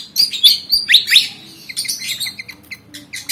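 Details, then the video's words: Javan fantail, black and white, eager to fight, gives loud squeaky whistled notes sliding up and down, then a run of short clipped chirps. "Burung Kipasan Jawa Ngotot Liat Pengen Tarung"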